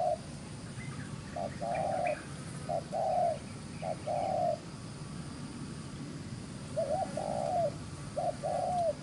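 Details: Spotted dove, a wild-caught field bird, delivering rapid gù xiết cooing: a series of short low hooting notes paired with drawn-out coos, with a pause midway, over quiet rural background noise.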